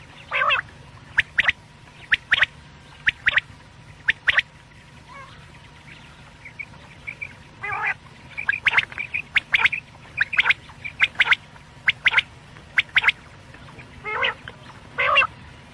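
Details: Quail calls for night use: a long series of sharp clicking notes, singly and in pairs, about once a second, with scattered soft piping notes and a few rougher buzzy calls.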